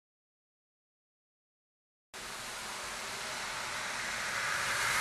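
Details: Two seconds of silence, then a steady broadband hiss like rain or rushing water that slowly grows louder; no animal sound.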